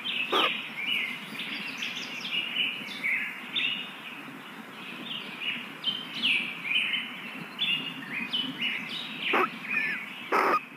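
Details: Young kingfisher chicks being fed in the nest: busy, overlapping high chirps and short downslurred squeaks running throughout, with occasional sharp clicks near the start and end and faint rustling.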